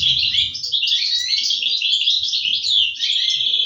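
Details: European goldfinch nestlings calling as parents deliver food, 2023: an unbroken stream of high, rasping chirps and trills, steady and loud throughout.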